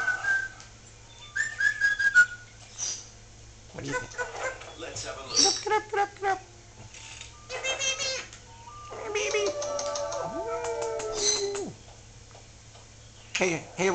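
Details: A pet Solomon Island Eclectus parrot chatters in speech-like phrases mixed with bright whistles and a few short squawks, talking without screaming; a person speaks to it at times.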